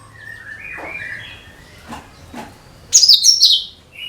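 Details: Cucak kinoi (leafbird) song, used to lure all kinds of birds. Sliding whistled notes near the middle pitch, then two brief clicks, then a loud, burry, high descending burst of twittering near the end.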